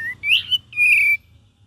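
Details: ['Cream-vented bulbul in gacor and ngeriwik variation style: bright whistled phrase, a short rising note, then a fuller wavering whistle and a long, slightly falling sustained note, with a quiet background hum.']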